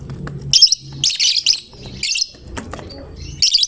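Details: Fighter-type lovebird in prolific 'gacor' singing form, its song meant to prompt other lovebirds to sing; shrill, rasping chattered bursts of about half a second each, four bursts spaced irregularly, with low background rumble.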